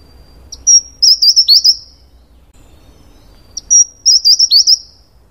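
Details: Taiwan wren-babbler, a bird endemic to Taiwan's mid- and high-altitude natural forest floor, sings two phrases: a thin high whistle, then a quick wavering series of five or six sharp warbled notes, repeated after a pause in a quiet forest.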